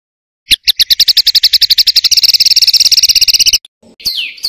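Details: Songbird master recording with rough rolling material for contest birds: notes starting slowly then accelerating into a dense rolling trill, ending with a descending buzzy slur.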